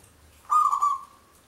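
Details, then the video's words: Local zebra dove, a lively singer kept as a lure for trapping, delivers part of its long song: a single quick, warbling run of cooing notes that fades into a steady, drawn-out tone. "Perkutut lokal gacor manggung suara panjang"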